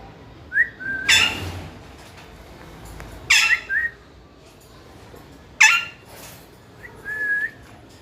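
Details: Parrot, likely a pet, giving short whistled notes and harsh bursts at irregular intervals, with quiet pauses between them.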